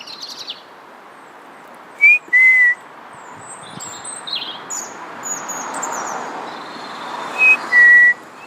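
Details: European robin, a red-breasted male, singing: thin, high, varied twittering phrases drift in and out, broken twice by a loud, pure two-part whistle, first short and rising, then level and lower, over steady background hiss.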